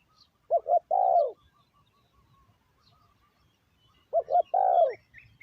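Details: Decoy spotted dove cooing to attract wild birds: two phrases about three and a half seconds apart, each a pair of short notes then a drawn-out descending coo, with faint chirps of other birds between.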